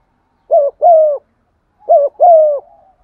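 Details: Cu gáy lure bird giving 'giọng son' stimulating coos: two close phrases, each a short coo followed by a longer, level, mellow note that fades slightly at the end.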